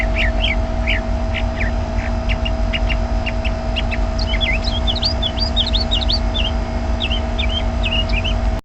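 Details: Bird chirping from inside a bush: short, high, sharp chirps repeated about three per second, later quickening into clustered twittering notes, over a loud, steady low hum and engine-like background noise.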